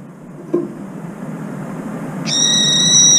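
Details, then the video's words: Brown-eared bulbul, after bathing repeatedly in cold water at an empty feeding bowl, lets out a single loud, shrill, level screech lasting about a second after a soft click, as if refreshed, over a low background rumble. "직박구리, 냉수욕하고 시원하다며 삐이이익 소리침"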